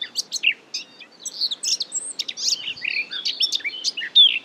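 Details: Eurasian Blackcap (Sylvia a. atricapilla) at Marais d'Harchies, Belgium, in May 2017, giving a quick, scratchy run of varied chirps and short warbled notes packed closely together for about four seconds.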